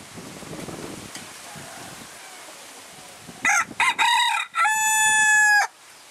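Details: Phoenix rooster, a young bird close to one year old, crowing in January 2010 after a quiet, faintly noisy lead-in: clipped stuttering notes build into a drawn-out, even, nasal final note lasting about a second.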